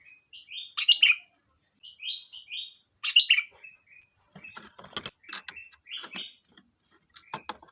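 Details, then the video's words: Sooty-headed bulbul in vigorous song, giving a string of short slurred, bubbly phrases, louder bursts alternating with softer ones, followed by scattered clicks and faint chirps. "Suara burung Kutilang Gacor || Ocehan Kutilang"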